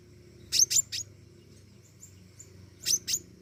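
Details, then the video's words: Pentis raja flowerpecker in lively voice: two crisp, high doubled chips, then a pause with faint thin whistles, then another double chip, over a low steady hum. "burung pentis raja gacor"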